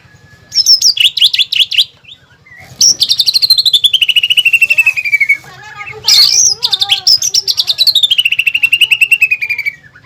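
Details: Greater green leafbird singing a contest-style lure and training song that includes pelatuk bawang filler phrases: bright rising and falling whistles, then long trills gliding slowly downward, repeated twice with brief gaps.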